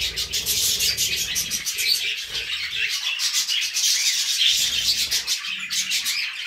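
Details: Several budgerigars singing together, a thick, unbroken wash of high twittering, buzzy trills and squeaks that keeps a steady loudness throughout.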